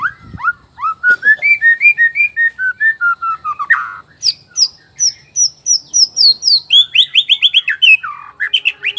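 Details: Male black-tailed white-rumped shama from Nias, whose song stirs other males to sing: a rich, fast string of varied whistles and chirps that climbs into a high, rapid series of sharp notes.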